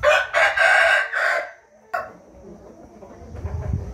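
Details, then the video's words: Rooster crowing on 13 June 2021: a loud, rough crow broken into three or four pulsing syllables over about one and a half seconds. A sharp click follows, then low rumbling background noise. "nghe tiếng gà gáy"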